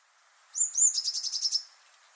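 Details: Eurasian blue tit (Cyanistes caeruleus) song: two very high, thin sweeping notes, then a quick trill of about eight lower, slightly buzzy notes lasting roughly a second.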